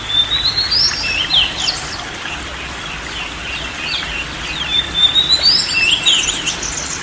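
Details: Oriental magpie-robin song as therapy for a stressed bird unwilling to sing: two bouts opening with a long clear whistle followed by rapid chattering, varied notes, amid steady hiss.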